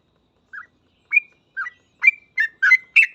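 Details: Sooty-headed bulbul, gacor full ropel song used to train other bulbuls. Seven separate chirped notes come quicker and louder toward the end, some with a short whistled tail.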